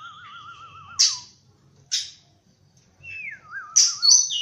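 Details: Oriental magpie-robin in the morning: a wavering, wobbling low whistle, then sharp scratchy bursts and a falling slurred note leading into another wavy whistle. Quiet gaps separate the phrases.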